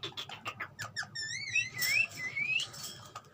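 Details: Ringneck parrot, described as talking, makes quiet clicks, then a drawn-out wavering whistle that rises into thin, high squeaky notes. Low hum throughout.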